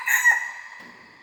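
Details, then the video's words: Tail of a young red junglefowl hybrid's practice crow, a hoarse drawn-out note that fades away slowly over about a second, typical of a bird still learning to crow. "#ไก่ป่าลูกผสม #เสียงไก่ป่า #หัดขัน"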